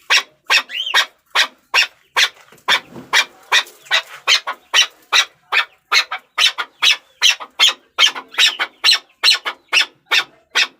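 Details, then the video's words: Rhythmic rasping calls of a Chukar partridge, repeated about twice and a half each second, with a short rising squeal near the start. "Chakor Ki Awaz || Chukar Partridge Sound"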